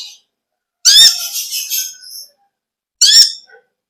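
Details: Konin (olive-backed sunbird) singing ngekek style: a high, rapid buzzy chatter running over a second, then silence, then a shorter second burst of the same sharp notes.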